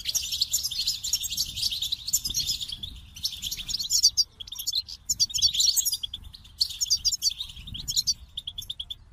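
Goldfinches twitter in bright, tinkling bursts, fast liquid trills and high chirps running almost without pause, with a soft low rumble beneath.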